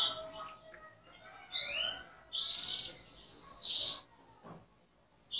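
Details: Canary singing softly: short high whistles and slurred notes, then a louder sustained buzzy phrase, with gaps and faint background noise.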